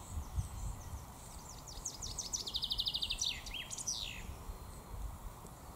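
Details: A male common chaffinch in the Raaderwald during the 2022 breeding season sings a bright cascade of falling notes, then a quick rattling trill and a flourish at the end, over a steady low rumble.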